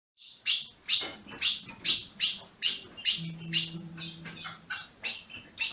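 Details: Captive ultramarine grosbeak kept by a registered amateur breeder in Brazil, chirping steadily. Sharp metallic chip notes repeat about twice a second, slightly uneven, over a low steady hum midway through.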